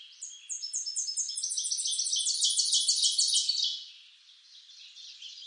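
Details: High-pitched song of a Tennessee warbler, eastern North America: thin staccato notes accelerate into a dense, emphatic chattering trill lasting about a second, then a softer, fainter twitter trails off at the end.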